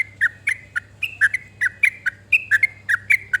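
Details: Trucuk song, the yellow-vented bulbul, played to make other birds sing: lively, bubbly whistled phrases mixing higher level notes and lower dipping chirps, paired or in quick runs, over faint hum.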